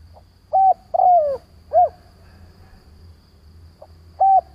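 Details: Spotted dove acting as a decoy to draw in other doves, giving a level coo, a falling drawn coo and an arched coo, then after a pause a faint note and a fresh level coo.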